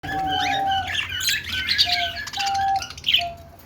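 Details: Several budgerigars making happy sounds, a mix of chirping and warbling: bright, busy chirps and squeaks over long steady whistled tones, with a constant low hum in the background.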